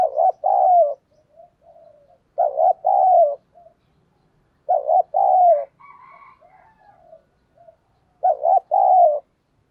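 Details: Spotted dove kept as a decoy, cooing in the thổ sấm style to bring in wild birds. Four rounded three-part phrases with low murmuring notes between them. A higher faint tone sounds near the middle.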